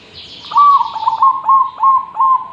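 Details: Zebra dove in full, persistent song, suited as a master recording for tutoring other birds: a sustained mid-pitched trill broken into quick rhythmic coo pulses, about six beats, after a faint higher rustle.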